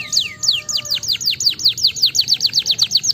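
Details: Domestic canary song used to stimulate lazy canaries to sing: a fast series of high, descending slurred notes repeated about two and a half times per second, steady and bright throughout.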